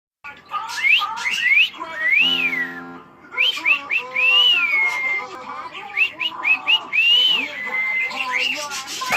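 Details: A pet cockatiel indoors in the evening, after flying around the living room, whistles a bright, looping tune of rising and arched notes in quick phrases, broken once by a short, lower, buzzy tone.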